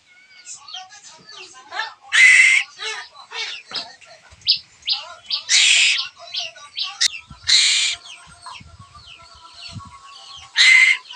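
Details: A pet Asian koel chick kept at home cries to be fed, begging with harsh, raspy screeches and rapid high chirps repeated every second or so, with loud bursts of hissing noise between.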